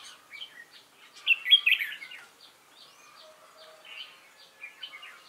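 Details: Red-whiskered bulbul, recently trapped from the wild, giving competition fighting song on 22 October 2018: one strong rolling warble after a second, then quieter scattered notes over a continuous line of faint high clicks.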